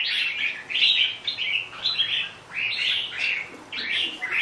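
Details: Red-whiskered bulbul song: a series of quick, cheerful warbled notes in separate bursts, repeated about once a second at a fairly even pitch.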